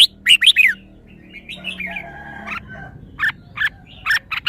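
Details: Red-whiskered bulbul showing off well-phrased song: a loud burst of short bright chirps at the start, then softer warbled notes and a few sharp, spaced chirps near the end.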